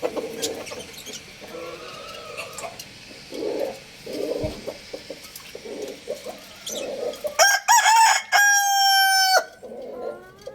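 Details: Young rooster, one of two crowing loudly, gives one loud harmonic crow near the end, a brief rising start then a long level note of about two seconds, after a stretch of soft clucking and small bird chirps.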